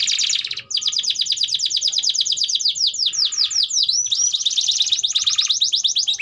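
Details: Canary in long-duration vigorous song, used as a tutor for young canaries learning to sing: rapid trills of repeated notes, then a run of falling slurred whistles, then buzzy rolled phrases resuming.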